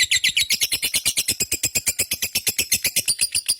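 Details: Lovebird giving a long, continuous ngekek chatter, a rapid string of sharp high chirps repeated nearly three times a second with a steady rhythm, indoors.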